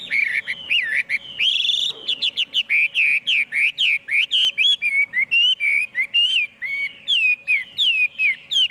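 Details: Chinese hwamei in full song: long flowing whistle, then a steady string of ringing, curling notes repeated more than once a second, with occasional sharp clicks.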